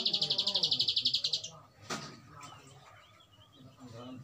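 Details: Bar-winged prinia (prenjak alang-alang) singing a long 'ngebren' trill: a rapid, even string of high buzzy notes that lasts about a second and a half, then a sharp click and faint low background murmur.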